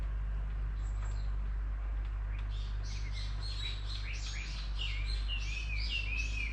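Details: Bird chirping, quiet at first, then from the midpoint a quick run of short notes swooping down high in pitch, several per second, over a steady low hum.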